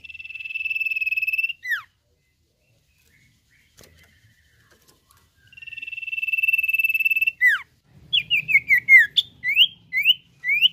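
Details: Common iora singing a long, even, high trilled whistle that ends in a sharp falling note, then repeats it after a silence, closing with a run of quick descending chirps over faint hum.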